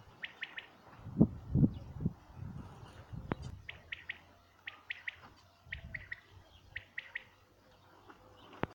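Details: Common quail recorded in 2019 giving quick three-note phrases of short, sharp high notes, repeated about five times across the clip, fairly faint behind louder low thumps and rumbling noise.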